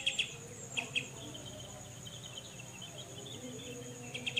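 Grey-cheeked Bulbul giving short, harsh chattering bursts in pairs and triplets, spaced about a second apart, over a steady high insect-like hum and faint hiss.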